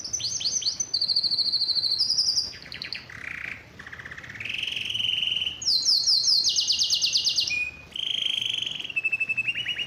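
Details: Excited canary singing in mating condition, pressing the female to mate: varied high trills and rolling phrases, buzzy runs alternating with fast clear chirping series, sung continuously without pause.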